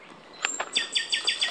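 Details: On Miyake Island in 2019, a Japanese robin (Tane-komadori form), possibly in a territorial dispute, forages unfed while threatening and gives fainter calls, then a quick series of sharp, high chipping notes, about six a second, over light background noise.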